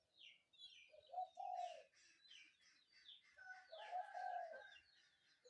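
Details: Spotted dove cooing in the morning, two low, husky phrases rising above a busy chorus of chirping and twittering small birds.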